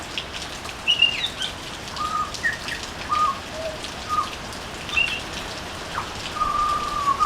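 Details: Butcherbird singing on a veranda: a string of clear, mellow whistles at varied pitches, short sliding notes and a final long held whistle, over a steady rain-like hiss.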